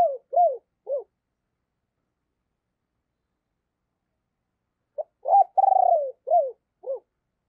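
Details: Decoy spotted dove with a deep, husky voice, cooing to call and provoke other doves; short falling notes, then a full phrase with a long trembling middle coo and closing downslurred notes.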